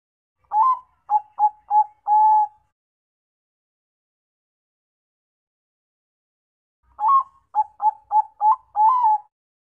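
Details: Bangkok perkutut zebra dove singing two separate phrases about five seconds apart, each opening with a rising coo, then a rhythmic string of short soft coos and a longer closing note; silent background.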